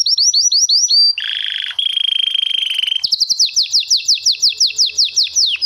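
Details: Canary long roll used for song tutoring: a series of quick upslurred whistles, a buzzy sustained rattle in two pitch levels, then a run of sharp descending notes repeated at a brisk, slightly uneven pace.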